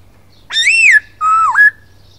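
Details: Gacor song of a masked laughingthrush (poksay hongkong): a rich rising-then-falling whistle followed by a level whistled note that dips and jumps upward at the end, with a faint low hum behind.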